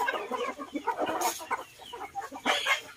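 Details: Chickens eating together with ducks in a garden in Vietnam: a dense chorus of short, low clucks and chuckling calls from several birds, with brief noisy bursts of scratching or pecking.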